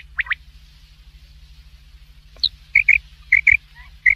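A Black francolin gives two quick rising chirps, then a pause, then a run of short, sharp notes in pairs. A low hum sits underneath.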